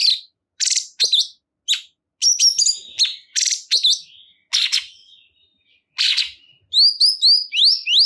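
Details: Cungkok bulbul singing energetically: scattered sharp, high chirps and buzzy bursts separated by short pauses, ending in a quick series of clear, rising whistled notes.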